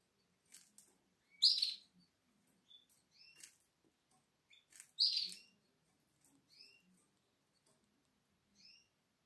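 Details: Atlantic canary chick, seven days old, in the nest on 12 April 2022, eyes not yet open: thin high squeaky chirps in scattered short bursts, two louder clusters, otherwise soft faint peeps and light rustling.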